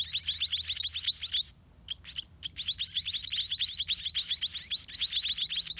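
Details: Nest of white-rumped munia young begging as parents bring food; a busy stream of shrill downward-slurred chirps, broken by a brief near-silent pause around the middle before resuming at full intensity.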